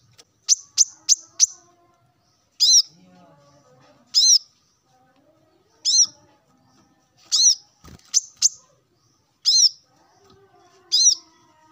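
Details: Male plain-throated sunbird calling rivals in the morning: a quick cluster of four high chips, then slower, spaced, slightly downslurred sharp notes every second or two.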